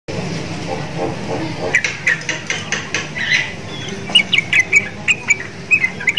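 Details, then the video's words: Caged sooty-headed bulbul singing vigorously, its voice said to resemble the Javan myna it is kept beside. Low rumbling noise at first, then short sharp chirps repeated about twice a second. "TRUCUKAN GACOR !!! MENTALNYA SEPERTI JALAK KEBO"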